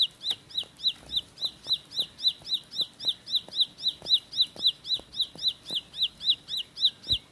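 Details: Bar-winged prinia, known locally as ciblek sawah or ciblek pari, delivering a rapid rolling 'tembakan roll speed' song: high, sharp, down-slurred chip notes repeated steadily about four times a second, with faint low ticks in the background.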